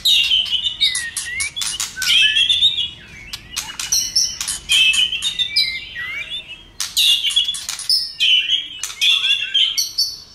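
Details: Fired-up White-rumped shama in stimulating song, tail flicking: three bursts of loud fluty whistles packed with sharp clicking notes, short quieter gaps between them.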